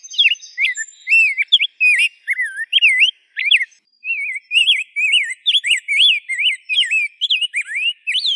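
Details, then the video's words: Rose-breasted grosbeak song: liquid, robin-like whistled phrases with looping rising and falling notes, one brief gap midway, then a steady stream of varied warbles. "kicauan indah rose-breasted grosbeak"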